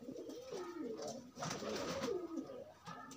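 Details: Pigeons pairing while loose rather than confined: low, rolling coos wavering up and down, with a break midway, over a hissy room background.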